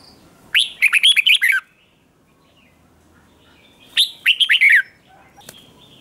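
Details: Caged male red-whiskered bulbul singing a fiery contest song: two quick phrases of rich, warbling whistled notes, each lasting about a second and separated by roughly three seconds of quiet.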